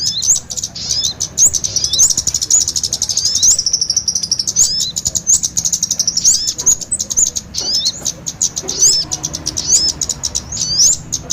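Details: Small birds, kemade combined with sogon, used as a lure recording to attract small birds for trapping: dense high thin chirps with rapid ticking notes and short upward-flicked whistles, steady throughout.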